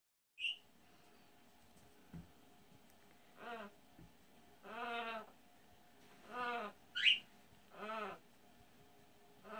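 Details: Pet parrot imitating a human orgasm: low, moaning harmonic bursts rise and fall about every second and a half, broken once by a sharp high squeak, over a quiet indoor background.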